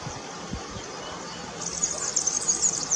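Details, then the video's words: European serin singing. After a low rumbling start, a very high, thin, jangling twitter begins halfway through and runs rapidly to the end. "Verdecillo Cantando(serinus serinus)"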